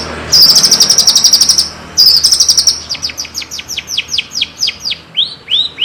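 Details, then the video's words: Javanese long-tailed shrike (cendet) in full song: two loud, dry, high rattling trills, then a quick string of clear, downslurred whistled notes, about four per second, with a few rising notes at the end. "Kicauan terbaik cendet Jawa gacor full isian jernih"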